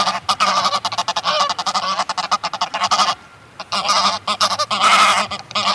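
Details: A flock of Greylag geese gives loud, excited honking calls that overlap rapidly, with bursts of wing-flapping between them and a brief quieter pause midway. Mallards call in the distance.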